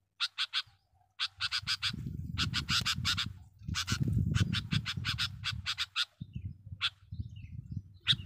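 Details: Sooty-headed bulbul lure recording with dense, rapid chirping in fast clusters, several notes per second, over a loud low rumbling background.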